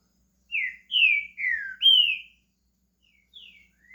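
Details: Caged green-winged saltator in Brazil beginning its song: four loud, clear whistled notes, each slurring down in pitch, then two softer trailing notes after a short pause, in a quiet setting.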